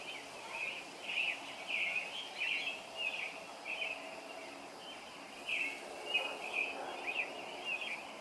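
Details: A robin sings a steady run of short, high, warbled phrases, one or two each second, early on a summer morning, over a soft hiss of outdoor background noise.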